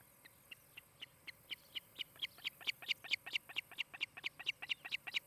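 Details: Nest camera in Charlo, Montana, 23 July 2018, late morning, osprey at the nest; rapid high chirps, around two per second, building from quiet to loud and thin.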